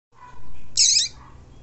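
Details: A female Double-collared seedeater gives one brief, high, sharp chirp over a faint low background hum. It is a female call said to excite and stimulate males.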